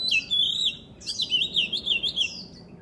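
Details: Vigorous oriental magpie-robin song: a held whistle, then a rapid series of rising and falling warbled notes at an even pace, over a low background hum.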